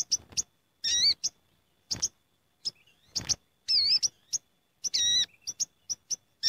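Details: Gathering flock of sooty-headed bulbuls, a lure sound: scattered short high chips with a few louder, wavering harmonic calls in between, and quieter stretches between them.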